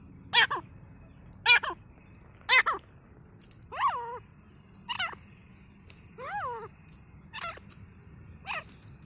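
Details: Grey francolin, a forest bird recorded during fighting: a series of sharp, harsh notes repeated about once a second, some clipped and others with downward-bending harmonics, over a low rumbling background.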